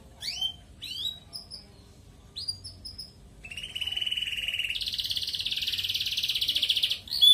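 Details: Red canary singing actively in the ngerek style, used as a lure to stimulate breeding in colony-kept canaries: a few rising whistled sweeps, then a steady trill, then a higher, buzzy, rapidly rolled trill held for about three seconds.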